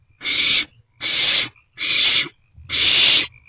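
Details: Barn owlets sharing food in a nest box in the early hours of 27 March 2024; four loud breathy screeches, each about half a second, spaced evenly close to once per second.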